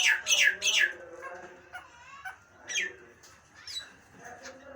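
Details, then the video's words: Nias hill myna giving three loud, harsh squawks in quick succession, each sliding downward, then softer scattered notes over a faint low hum. "Suara burung jalak nias bikin kuping panas"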